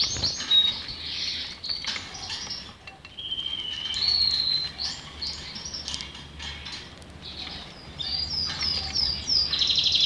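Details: Belgian canary song of varied high whistles and buzzy stretches, including a long steady whistled note mid-phrase, broken by short pauses and chirps.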